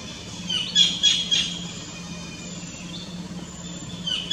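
Collared kingfisher gives a quick burst of three harsh, high notes, then another near the end, over a low steady hum.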